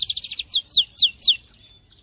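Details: Short phrase from a Syrian canary: a quick pulsed trill followed by four loud, clear downslurred notes, then a fading tail.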